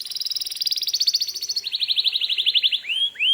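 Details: Canary singing to provoke other canaries into answering: a fast pulsing trill, slightly rising then dropping in pitch, then two sharp upswept whistles at the close.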